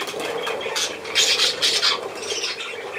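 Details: Short burst of budgerigar squawking: harsh, noisy screeches clustered in the middle second over a constant background hiss.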